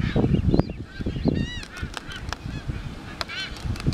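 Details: Galapagos Albatross courtship display, Galapagos Islands: low clattering bursts open the stretch. Wavering, moaning harmonic calls follow around the middle and again near the end.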